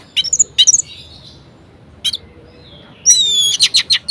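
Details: An orange-headed thrush sings varied phrases meant to get lazy thrushes singing: a few quick, high chips and a soft warble, then a thin ringing whistle overlaid with a run of rapid, evenly spaced notes.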